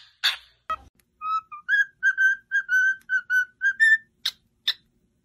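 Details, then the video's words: Pet cockatiel singing for training: one harsh chirp, then a series of short, level whistled notes repeated roughly twice a second, closing with two rasping chirps. "Training Cockatiel to singing"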